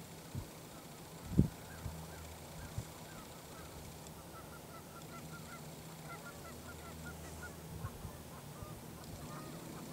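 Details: Half-dozen migrant Canada geese grazing last year's grass exposed by melting snow at Grand Forks, North Dakota, 1 April 2013, trade rapid, short nasal honks while neighbours squabble, over steady low wind rumble with one sharp thump.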